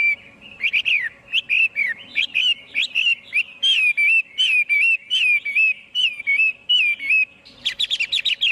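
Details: Chinese hwamei pouring out a rich, fast sequence of bent whistles and warbled notes, phrases repeated roughly once per second, closing with a cluster of quick chirps.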